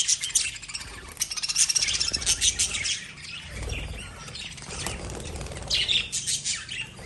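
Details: Lovebirds give rapid, continuous high chattering with dense squeaky notes and soft fluttering or rustling beneath, easing before a final burst of chirps.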